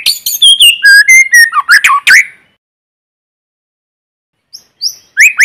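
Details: White-rumped shama singing in forest as a lure to stimulate newly caught birds: a rich phrase of stepped whistles falling into squeaky slurs, then silence and a few high chirps.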